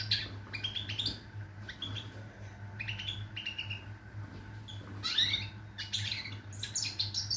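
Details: Goldfinch song of rapid chattering twitters and rising liquid notes in bursts, with a quieter stretch mid-way, over a continuous low hum.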